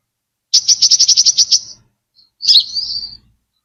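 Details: Brown-throated sunbird song used as a lure, recorded clean: a rapid rattling trill of about ten high pulsed notes, a pause, then a single twittering sweeping phrase.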